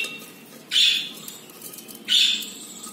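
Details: Captive budgerigar, a pet pair that has just laid its first egg; two short bright chirps about 1.4 seconds apart, sharp high notes over a quiet indoor background.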